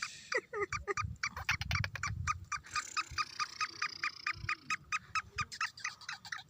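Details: Eight-month-old young black francolin, locally kala tetar, calling lively with a fast, steady run of loud, harsh repeated notes, over a second per beat pair, with low thumps and murmuring in the background.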